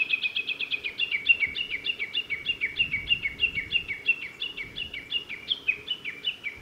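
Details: Grey bunting, male, at Yanagisawa Pass on 5 May 2017: a rapid run of short, high chirped notes, about three per second, steady in pitch and continuing without pause throughout.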